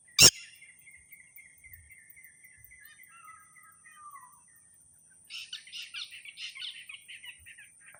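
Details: Red-wattled lapwing calling: a sharp click, a falling whistled note, then a fast run of harsh, repeated notes in quick series. A steady high insect drone continues throughout.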